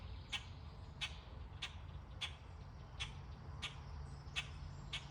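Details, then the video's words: Birds chirping among trees in summer: short sharp chips repeated about every two-thirds of a second in a steady beat, over a constant low rumble. "Birds chirping away"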